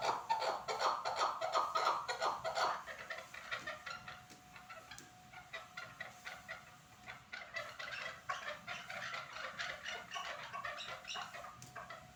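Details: Chukar partridge calling at Norak. A loud burst of chattering clucks opens, then softer repeated chuck notes continue at a brisk, uneven pace, with a thin steady tone running through.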